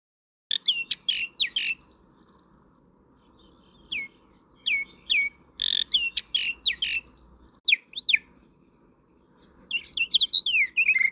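A common myna sings a varied, irregular run of chattering notes, sharp whistles and downslurred squeaks, with brief pauses between phrases.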